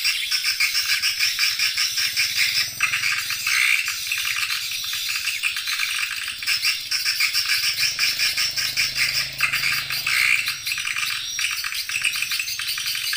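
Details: Edible-nest swiftlet lure call played to attract swiftlets: a dense, continuous high chattering of rapid buzzy chirps and rattles with a pulsing rhythm. A soft low hum runs underneath.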